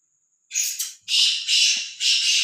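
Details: Black francolin, a free-ranging and unafraid bird, calling: a short rasping lead note followed by three longer, harsh, buzzy notes delivered in an even rhythm about half a second apart.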